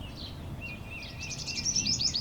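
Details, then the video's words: Sunbird from Karnataka giving a high, wavering thin note, then a quick burst of sharp, very high chirps with faint outdoor noise behind. "ಹೂವಿನ ಹಕ್ಕಿ - ಸೂರಕ್ಕಿ | sunbird"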